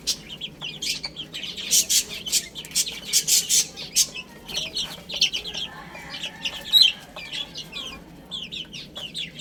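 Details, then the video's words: ['Young chicks eating and playing. Dense tapping and scratching clicks dominate the first half, and high, short chirps scatter throughout.'] "Cute Little Chicks Chirping Sounds | Beautiful Baby Hen Eating and Playing"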